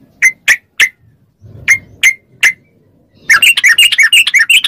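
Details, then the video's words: Yellow-vented bulbul song meant to make captive bulbuls reply: six clear, evenly spaced single chirps over faint low rumble, then a sudden dense, bubbling chatter of overlapping notes. "MASTERAN TRUCUK CEPAT ROPEL||SEMUA TRUCUK LANGSUNG NYAUT||TERAPI TRUCUKAN"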